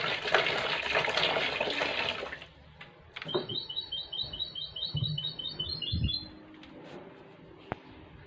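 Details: Goldfinch hybrid in a shower bath during the coronavirus period, with loud splashing first, then a quick, high, evenly pulsed trill lasting about three seconds over running water.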